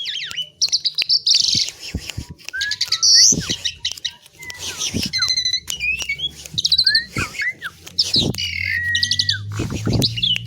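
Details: Asian pied myna, locally jalak suren, in sustained varied song: whistled slurs, rapid trills, scratchy squawks and sharp clicks following one another without pause, over a faint low hum.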